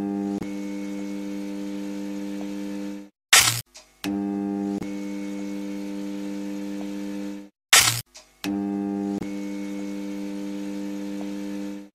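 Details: A steady, low electronic hum with layered overtones runs in blocks of about three seconds, broken by brief clicks and short gaps, with no animal voice.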